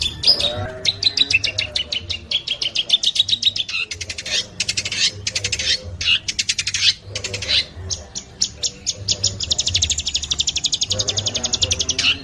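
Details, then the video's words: Long-tailed shrike song from a training recording, delivered at speed: rapid bursts of sharp, buzzy chattering notes in quick trains, with brief pauses between them. A steady low hum runs underneath throughout. "Masteran cendet, speed jossssss - kicau burung"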